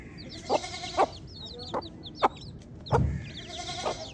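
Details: Baby chicks peep in high, descending chirps. Several louder, lower clucks and a deep thump break in near the middle.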